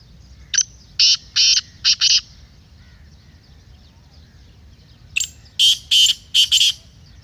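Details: Black francolin, a recording meant to excite a kept bird into calling, gives two harsh rasping phrases of about five clipped notes each, roughly four and a half seconds apart, against a quiet background.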